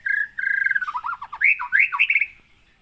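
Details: Captive white-rumped shama originating from Aih Ilang (Sungai Merah), Pining, Gunung Leuser, Aceh, Indonesia, caught in 2017: loud rattling notes falling into a rapid bubbling warble, ending in emphatic rising and falling whistled phrases.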